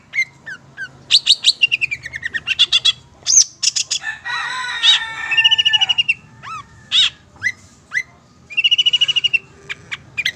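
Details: Long-tailed Shrike from Madura singing a loud, varied training recording: harsh chattering bursts, clear whistles, a scratchy jumbled mid-pitched passage and repeated high chips, mixed with faint low background hum.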